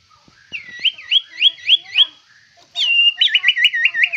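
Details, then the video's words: White-rumped shama, a fierce-looking bird with rich fighter song fill, repeating a looping whistled phrase five times, then switching to a long clear whistle followed by a fast series of rolling whistled notes. "Murai Batu Paling Ganas dan Sangar"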